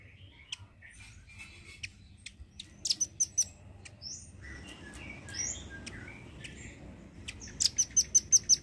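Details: Velvet-fronted nuthatch, a red-billed nuthatch used as a song tutor for songbirds, gives sharp, high chips and rapid trilled series, ending in a quick burst of six loud repeated notes; faint background hum.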